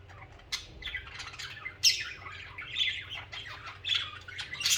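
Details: Budgerigars chattering, social pet birds heard singing and chirping: continuous scratchy warbled notes mixed with sharp squawks, growing louder and busier toward the end.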